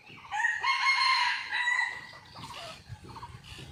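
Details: Red junglefowl crowing, recorded by a hidden camera on a lively morning after a storm: a strong, sustained harmonic crow of about a second and a half, then quieter clucks and pulsed chirps nearby.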